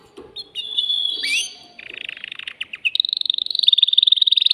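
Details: Excited caged male canary singing to prepare a female for mating: a held high whistle, a buzzy lower rattle, then a very fast, even, high-pitched trill.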